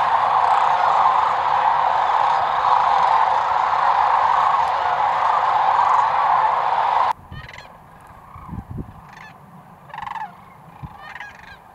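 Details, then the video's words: Sandhill cranes, Nebraska, 2019: a huge continuous roar of massed calling for about seven seconds cuts off abruptly, followed by a quieter stretch of scattered single rattling calls and some low thumps. "Sandhill Cranes 2019 - Nebraska"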